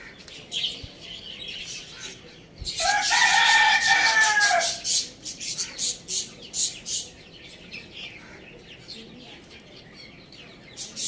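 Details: A pet rooster, kept with hens, chicks and budgies, crows loudly in one sustained, harmonic, slightly falling cry of about two seconds. A run of rapid, sharp chirps from small caged birds follows.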